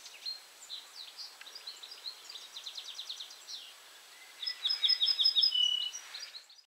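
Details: Ortolan bunting (Emberiza hortulana) at Julków on 3 June 2017 sings a short phrase of about six clear, ringing notes ending on a lower, drawn-out note, after fainter chirps from other birds.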